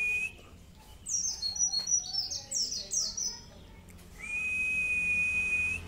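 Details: Mountain white-eye tutor song (masteran) with long 'cerrr' phrases: a short burst of quick high twittering chirps in the middle, framed by long flat steady whistled tones and faint low hum.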